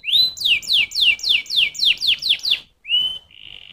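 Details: Canary sings a rising whistle followed by eight quick falling whistled notes, a brief silence, then a flat sustained tone.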